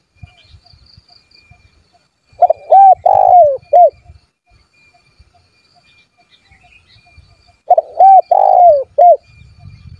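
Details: Spotted dove giving its rival-provoking call, meant to make wild doves respond and come near: two four-part coo phrases about five seconds apart, a long rough descending note in each, over soft low rustling and handling noise.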